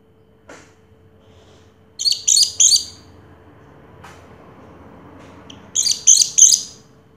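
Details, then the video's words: Orange-headed thrush, a first-place contest champion from 2022, giving two short bursts of high, buzzy, rapidly repeated notes separated by a quiet pause, with a faint steady hum behind. "Suara Burung Anis Merah Juara Pertama Tahun 2022"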